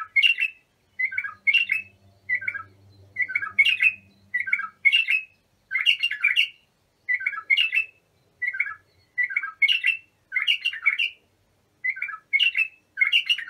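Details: {'caption': 'Training song of a bulbul for young birds: a long run of bright, chirping, bubbling phrases repeated almost continuously, with brief low rumbling noise early on.'}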